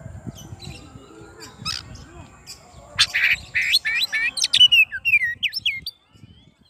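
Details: Oriental magpie-robin calling its rival: after quiet faint notes, a loud burst of rapid chirps, squawky notes and short upslurred whistles lasting about three seconds, then silence.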